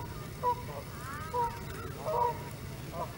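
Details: Canada geese during a close encounter at Hawreluk Park Lake: three short, nasal honks spaced roughly a second apart, each brief and fairly soft, over a steady low rumble of background noise.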